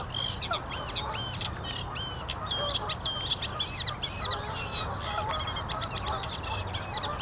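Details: Eurasian reed warbler song, a steady churring chatter of harsh and clearer notes repeated in uneven groups, over faint low rumbling noise.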